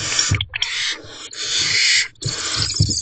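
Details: Barn owls at a nest box at 3:40 am on 29 April 2023, as the male drops off food for the owlets. Harsh, noisy hissing bursts run almost continuously, broken by brief gaps, with low thumps beneath.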